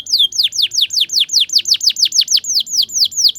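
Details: Tutor recording of a canary in the ngriwik style for young canaries learning to sing, a fast even series of bright downward-sweeping whistled notes, roughly five per second, clear and loud.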